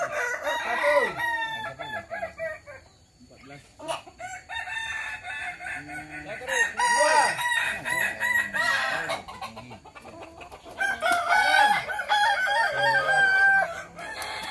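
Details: Kukuak Balenggek roosters at a crowing contest practice in Sawahlunto. Several crows overlap throughout, with arched, looping syllables and long stepped phrases rising and falling, and a busy, crowded background.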